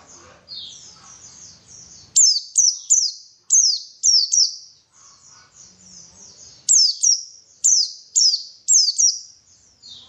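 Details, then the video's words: White-eye song used to stimulate singing: soft high twittering runs broken by loud clusters of three sharp, very high chirps that drop in pitch, the clusters repeating several times over ten seconds. "PANCINGAN BURUNG PLECI SUPAYA GACOR"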